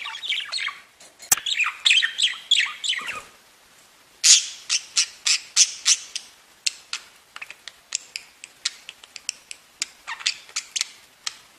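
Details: Pet budgerigars singing and chirping together: a rapid, scratchy warble of dense buzzy chirps and clicks, with a brief quiet gap near the middle before the chatter resumes in quick succession.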